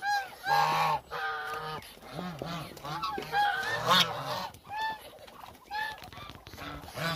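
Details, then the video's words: About a thousand hungry Muscovy ducks: loud nasal honks, each rising then falling, in clustered bursts over a busy chorus of further calls, with brief clicks and knocks. "1000 Hungry Muscovy Ducks"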